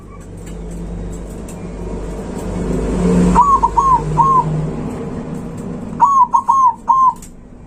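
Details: Loud zebra dove song used to provoke rivals, heard after a passing car's rumbling engine fades: two phrases of short, bouncy cooing notes, each phrase three to four quick coos, several seconds apart.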